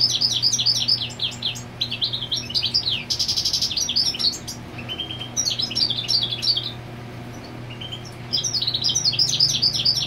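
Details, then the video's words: European goldfinch singing to mark territory with the female on the nest, pouring out rapid liquid twittering, buzzy notes and short trills in long runs, a brief pause before the final burst, with a constant low hum beneath. "Jilguero Marcando Territorio con Hembra en el Nido"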